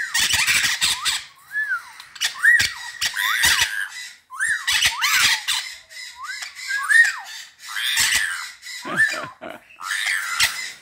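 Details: Captive white-fronted amazon hen whistling during mating, in the morning; short upward-curving whistled notes and slurred squeaks mixed with harsh raspy bursts, repeated across the clip.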